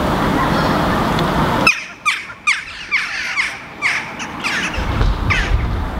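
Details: Several jackdaws foraging and interacting on the ground in Helsinki, Finland, in July 2015 give short, sharp 'tchak' calls, about eight in four seconds at an uneven pace, after a burst of broad rushing noise at the start.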